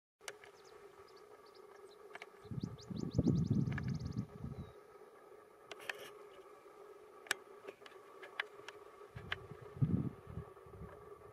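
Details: Botteri's Sparrow near Madera Canyon, June 1, 2024, gives a single song: high, thin notes quickening into a rapid trill. A steady low hum and bursts of wind rumble run underneath.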